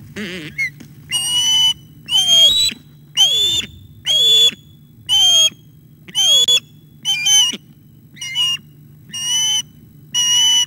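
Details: Osprey at the nest during a fish delivery, a young bird attacking the adult male, 11:37 am on 9 August 2021; loud whistled, harmonic calls with falling tails, about ten in series, over a steady low hum.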